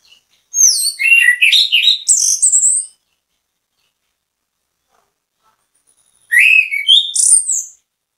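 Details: Anis kembang (orange-headed thrush) singing as bait to make other birds sing along; two bursts of rich varied whistling with swooping, rising and falling notes, separated by over three seconds of silence.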